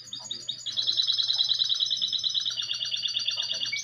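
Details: Goldfinch × canary hybrid singing. Brief twittering notes open the clip, then a long, loud, fast trill of bright high pulses runs unbroken for over three seconds over a steady low hum.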